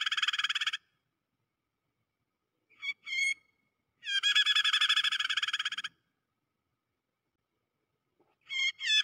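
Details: A prinia, played as a lure call of the "pinched" (kejepit) type used to trap prinias, gives harsh, buzzy, rapidly pulsed bursts, one long and several short, separated by silent pauses. No other sounds are heard.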